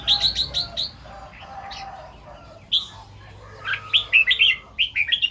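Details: Red-whiskered bulbul singing in the morning in the 'double 2-3' and 'rik' styles, caught by a set camera: quick bright chirped phrases in clusters, then a quieter gap and more rapid rising and falling notes.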